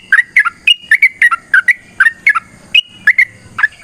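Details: Sooty-headed bulbul fighting song, used as a lure to make other bulbuls sing back: quick doubled whistled notes, warbling up and down at three to four per second, with a brief gap and soft background murmur.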